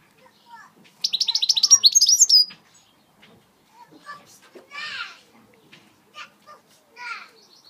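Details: British European goldfinch doing switty song notes: a rapid run of about a dozen buzzy, high twittering notes lasting over a second, followed by softer scattered chirps and a brief descending trill.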